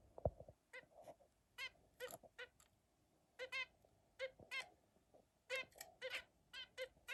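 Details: Singing zebra finch gives clusters of brief nasal, trumpet-like beeps, some doubled or tripled in quick succession, separated by short pauses, with a soft click at the start and a low hum underneath.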